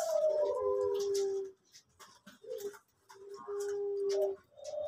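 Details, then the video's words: Male orange pelung dove from a bird farm, noted for a soft voice: a drawn-out falling coo, a gap with faint short notes, then another steady held coo. "Puter Pelung Orange Jantan Suara Empuk"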